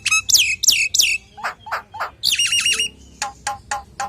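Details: Common hill myna in full varied song meant to lure others of its kind: three piercing whistles falling steeply, gruff squawks, a warbled trill, then a string of short sharp clicks.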